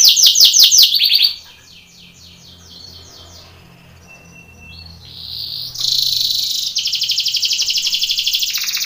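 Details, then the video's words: Belgian canary training song for contests: rapid high trilled notes, a quieter pause with faint notes, then sustained buzzy rolls and fast repeated pulses. "canary training song for contest / canto Canário belga cantando"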